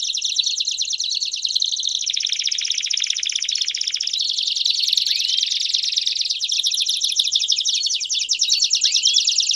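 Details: Belgian canaries singing together in a group to encourage a canary to sing, a dense continuous high buzzing roll of rapid pulses with a deeper rattling stretch in the middle and a few rising whistles.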